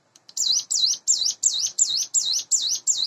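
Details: Morning song of a caged Sunda bush warbler raised by hand, roughly eight months old: eight high, rising-and-falling whistled notes delivered in quick, even succession after a short quiet start.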